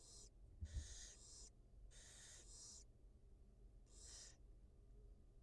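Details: Wild barn owl at a nest, a mother feeding her two newly hatched nestlings, recorded by a live nest camera; four harsh, breathy hissing bursts of about half a second each, with a low steady hum beneath.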